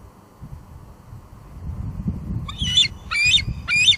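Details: Female bald eagle squeeing at her Two Harbors nest, July 2022, recorded by live cam; after low rumbling background noise, three sharp high squealing notes arrive in quick succession near the end.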